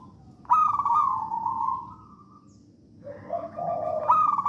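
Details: Wild Javanese zebra dove singing in the songgo ratu style, a recording meant to prompt other doves to sing. A strong rolling coo fades into a long purr, then a lower burbling phrase leads into the next coo.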